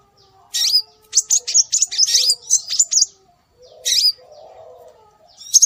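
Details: Scarlet minivet calls used as a lure to attract birds: bright, high-pitched whistled chirps with short rising-falling inflections, delivered in quick bursts of several notes, then a pause and a few more isolated chirps; faint low hum in the background.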